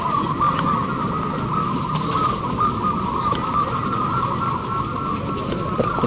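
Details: Many local zebra doves cooing together at a national hanging-cage song contest in Indramayu, West Java, Indonesia; a dense, steady band of overlapping rolling coos runs throughout, over a constant low rumble of crowd and vehicle noise.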